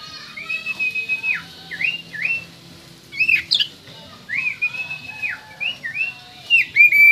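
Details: Oriental magpie-robin from West Kalimantan singing a loud, clear song of whistled notes that swoop down then rise, repeated in quick phrases, with a few higher sharp notes mixed in.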